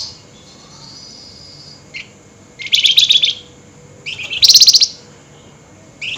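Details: At night, an excited flameback gives nyerecet chatter: two loud, fast, buzzy rattles about half a second long, with a faint thin note and short chips between them over a quiet background.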